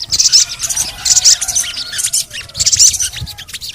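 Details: Crimson sunbird, locally called sogon, in lure audio for reluctant birds. Excited, high-pitched chattering chirps fall in quick clusters, loudest near the start and end, with a faint steady low tone underneath.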